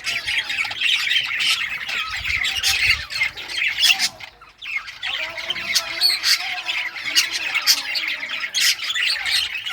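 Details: Budgerigars in rare colours chirping while they play with toys, June 18, 2023; a continuous busy chatter of high warbles and sharp clicks, briefly dropping away near the middle before resuming.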